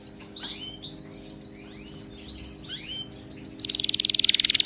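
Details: Canary singing, used to train pet canaries: a string of drooping, slurred whistled notes about four per second, followed by a loud, very rapid, even trill that closes the phrase.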